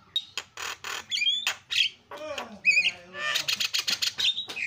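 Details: Javan myna with a jumbled chattering song: scratchy squawks, wavering whistles, a low descending slur, then quick rattling chips.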